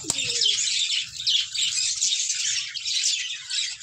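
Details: Female budgerigars, about fifteen to twenty in one room of a breeding colony, with chicks present: steady high-pitched chattering and chirps from many birds, opening with a sharp click and a short falling squeak.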